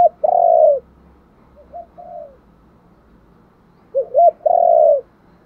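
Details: Spotted dove giving its luring coo: two short hooting notes, then a long, steady, drawn-out coo. A softer, shorter phrase follows near the middle, and a second full phrase comes near the end over quiet background.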